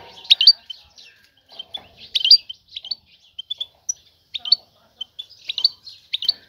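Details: Calls of a female European goldfinch seeking a male to mate: sharp high tweets and short twittered phrases, about every second, some grouped in quick doublets and triplets, with quiet pauses between.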